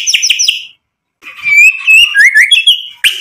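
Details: Song of a white-rumped shama aimed at provoking rivals to respond: three sharp chipping notes, a pause, then a flowing, warbling run of whistled notes sliding up and down, ending in a harsh burst.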